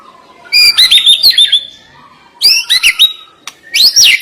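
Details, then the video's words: White-rumped shama (murai batu) singing brief, high, twisting whistled bursts separated by short pauses. "Ngeri Isian Murai Batu Ini Nembak Tajam"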